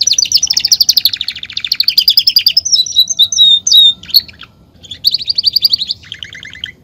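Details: Belgian canary singing to warm up other canaries: loud, rapid rolling trills of high notes, a few clear whistled phrases in the middle, then more fast trills at slightly different pitches.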